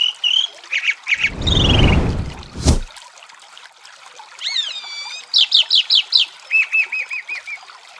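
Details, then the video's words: Chalk-browed mockingbird singing beside running water: varied phrases of repeated mid-high notes, a quick falling run, then a series of bright rising-falling whistles and a steady even trill, broken by a loud thump of handling noise. "Canto de Sabiá do Campo Cantando com som de Água e Calmaria"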